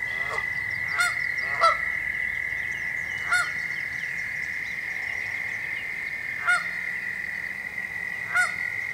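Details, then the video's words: Canada goose calling out danger while standing on an arbor: sharp, loud honks given singly or in quick pairs with pauses of a second or more, over a constant high droning hum and low background rumble. "Canada Goose Calling Out Danger While Standing on Arbor"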